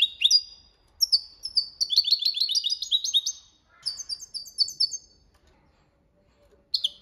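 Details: Goldfinch in the copia Malaga song style, a training song. A long run of fast metallic twittering and trilled buzzy notes follows an opening chirp, then a pause and a final call.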